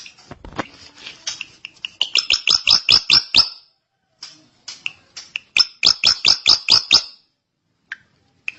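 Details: Drongo in prolonged song: two bursts of sharp, loud, ringing notes repeated rapidly, about seven per burst, separated by a brief pause and scattered chips.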